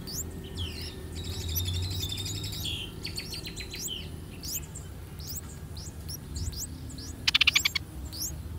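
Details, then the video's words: At a streak-eared bulbul nest in a water jasmine tree in front of a house, where parents feed three-day-old chicks: a short warbled phrase opens, then thin rising begging chirps continue, broken by a loud rattling burst. "Streak-Eared Bulbul Feeding Their Chicks In The Nest"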